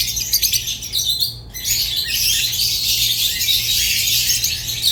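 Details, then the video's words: Rosy-faced and Fischer's lovebirds give quick, clipped squeaks that stop briefly at one and a half seconds, then swell into a steady, dense, shrill chatter. "تغريد ولا أروع | روز و فيشر غندور بصوت ساحر وممتع"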